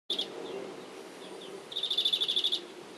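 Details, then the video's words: European greenfinch, buffeted by strong wind, gives a brief high note, then a quick, even trill of about a dozen notes, over a steady low rush of wind. "Grünfink trällert"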